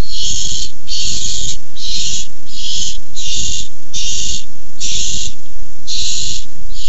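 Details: Barn owls contesting a tiny mouse, 6-4-15, keep up a rapid series of nine harsh, breathy hisses, almost continuous, with rustling and bumping sounds throughout.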